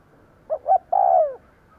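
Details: One full phrase from a decoy spotted dove calling to attract wild birds: two brief rounded hoots, then a sustained mellow coo that bends down at the end.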